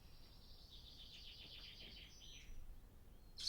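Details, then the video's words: Barn swallow in an old barn during the day, early breeding season, a sound likened to dolphins: a soft, wavering high warble sliding gently downward over two seconds, then a single sharp chirp at the end. "Barn Swallow Sound Library"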